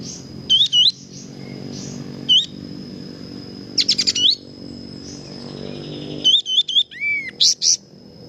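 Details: Kapas tembak singing energetically as a training recording: scattered bursts of quick looping whistled phrases, a short chattering cluster, then a lower drawn-out slurred note and sharp high chirps, with a constant thin high whine behind.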